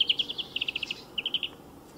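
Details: Song of a European greenfinch by a motor racing circuit, a rapid series of clear repeated twittering notes in two bursts separated by a short pause, against a low steady background hum.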